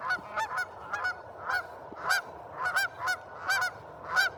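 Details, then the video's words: Geese honk over one another, loud nasal blasts coming every half second or so in an uneven, overlapping chorus. "geese making noise"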